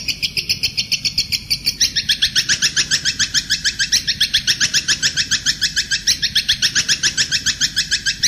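A bird known locally as the kuntilanak gives a fast, steady series of high, bright chirps, about three or four each second, with almost no background noise.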